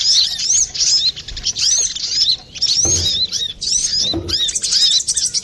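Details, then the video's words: Brown-throated sunbird in lively full song, used for trapping or training birds. Rapid high squeaky chirps and arched notes pour out in short bursts, with occasional low thumps from handling. "Pancingan burung Kolibri Klapa ribut,suara jerni"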